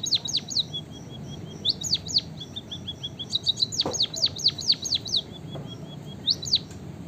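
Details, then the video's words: Emprit kaji (white-headed munia) in full song: bursts of high, fast down-swept notes alternate with quieter strings of thin, level piping notes, and a few soft clicks sound in the background. "emprit kaji gacor - burung finch murah suara mewah - white headed munia"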